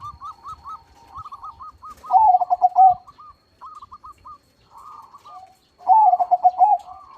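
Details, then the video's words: Loud zebra dove (perkutut) singing: quick pulsed coo phrases at about two and six seconds, with fainter doves cooing steadily in the background and a thin constant high tone. "PERKUTUT CROSSING GACOR SUARA BESAR"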